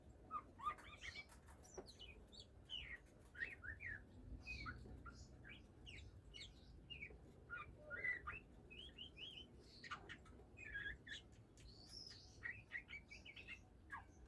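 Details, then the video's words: Oriental magpie-robin, a kept bird beginning to sing and wanting to breed, gives a steady run of short whistled chirps and quick rising notes, spaced irregularly over a low background hum. "kacer mulai bunyi"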